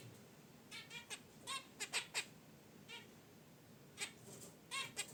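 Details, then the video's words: Pet zebra finches in a cage near a wicker basket nest: brief nasal honks and chirps, some paired, spaced irregularly over a quiet background with light rustling. "Zebra Finches in Their Cage: Natural Chirps & Sounds"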